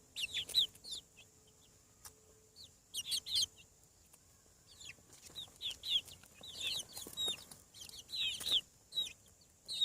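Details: Farm chicks just out of the egg peep in thin, high, falling notes, scattered at first then crowding into a busier chattering stretch, over a soft hiss and faint hum.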